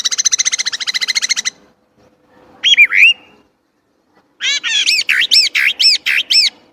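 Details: Chinese blackbird delivering a fast rattling trill, a brief twisting squeal, then a run of loud arched, buzzy notes repeated about three times a second.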